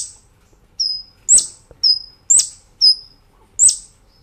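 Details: Master recording of a Brown-throated sunbird for cage-bird training, with level high whistled notes alternating with sharp falling chips about once a second.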